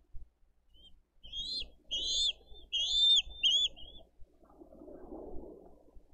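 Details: Bald eagle chick asking for food, nest camera in Dade County, 20 April 2023: four or five loud, piercing, upward-slurred squeals in quick succession over about three seconds, followed by softer rustling.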